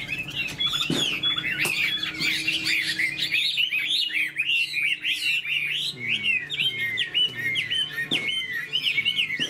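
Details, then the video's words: Caged Chinese hwamei, tail fanned, sings vigorously: dense rapid whistled phrases and repeated downward-slurred notes, punctuated by a couple of sharp clicks, over a low hum. "Họa mi đuôi xòe chơi cánh, bóng bộ cực đẹp, hót vẩy đuôi khướu"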